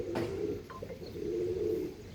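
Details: Andhra line pigeon cooing: a steady, low rolling coo, broken by a short pause, then resuming at even pitch, with a sharp click near the start.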